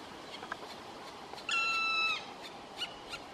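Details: A black woodpecker at its nest in Maridalen on 4 June 2018 gives a single drawn-out, plaintive whistled note lasting over half a second, steady in pitch, with faint ticks and soft background hiss around it.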